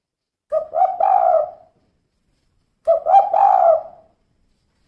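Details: Two soft, throaty coo phrases from a female spotted dove, 'kuk 2' type, each opening with quick clipped notes and ending in a longer trailing coo, separated by silence.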